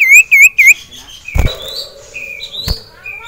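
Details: Three bright up-and-down whistled notes in quick succession from a caged male sirtu stirred up by a rival and a female, then softer chirps and a couple of sharp clicks.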